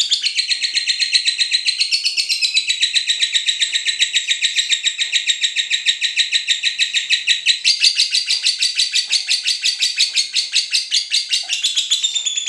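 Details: Lovebird, Cinderella variety, chirping as a trigger to prompt other lovebirds to sing for song training: a long unbroken run of fast, high buzzy chirps, rhythmic and steady, shifting to a slightly harsher texture midway.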